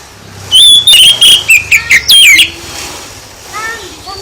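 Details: Oriental magpie-robin song meant to provoke other birds into answering: a loud burst of clear whistled and warbled notes, some sliding down, lasting about two seconds, followed by softer rising whistles.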